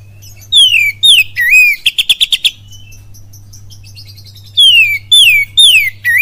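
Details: Oriental magpie-robin singing a lure song in kapas tembak and cililin style: falling whistles, a burst of five fast sharp notes, a short lull, then more loud descending and looping whistles, steady hum beneath.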